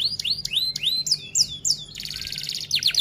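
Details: F1 canary singing long 'rol tembak' song as tutor material: a series of bright downslurred and upswept whistles about four per second, then a fast buzzy rattling roll and more sharp sweeping notes.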